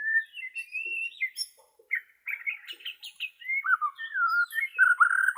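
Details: Borneo white-rumped shama song meant for training captive shamas: clear whistled opening notes, then quick jumbled chirps and a descending wavering whistle rising again into rich warbles.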